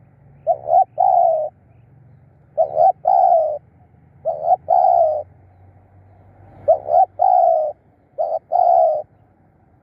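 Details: Spotted dove decoy luring wild birds, repeating a stuttered short note followed by a long mellow coo, five phrases with pauses between groups, over a faint low hum.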